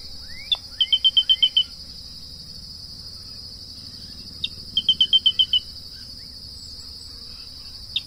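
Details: Grey-breasted crake song: a lone high note, then a quick run of about seven sharp, evenly spaced notes, repeated after a pause. A steady high insect drone runs throughout.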